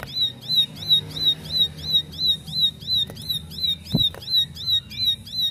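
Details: Bar-winged prinia that had been mute, replying immediately and joining rapid 'nembak' singing; high, thin, repeated notes at a regular pace of roughly three per second, with low background rumble and a single sharp knock.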